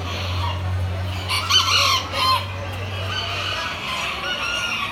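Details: Crowing bantam chicken at the yekas show, October 2019: one loud hoarse crow rises and falls near the middle, with clucks and other distant crows around it over a droning electrical hum.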